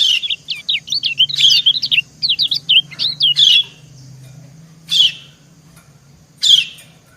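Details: Female white-eye (kecial kuning) calling to the male, the pair answering each other: quick runs of high thin chirps wavering up and down, then harsh buzzy bursts at spaced intervals.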